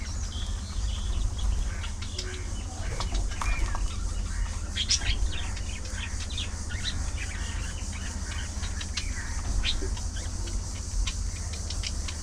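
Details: Budgerigar colony of social birds, a dense chorus of clicky chirps and short warbled notes from many birds throughout, louder bursts around four to five seconds, steady low background hum.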